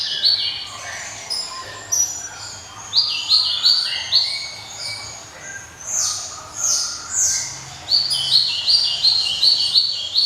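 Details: Java sparrow song, crisp and ringing: pulses of high twittering, then evenly spaced sharp chirps roughly three per second, broken by short pauses.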